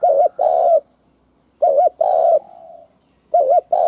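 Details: Spotted dove decoy bird calling to lure wild doves: loud hooded coos, a paired arched note then a long drawn coo trailing into a soft fading tail, phrases repeated about every one and a half seconds.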